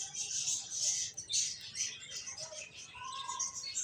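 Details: Finches giving a steady stream of thin, high chirps, roughly two notes a second, overlapping into a continuous twitter.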